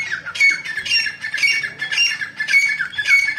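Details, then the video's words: Female grey francolin calling, recorded 29 November 2022: harsh, squawking notes repeated about twice a second in a steady series, each with a bright high edge and a rough lower part. "Female Teetar Madi ki awaaz grey francolin ایرانی تیتر"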